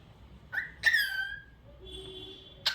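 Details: Cockatiel singing: a sharp chirp, then a strong whistled note with rich harmonics held near one second, followed by a faint low tone and a final click.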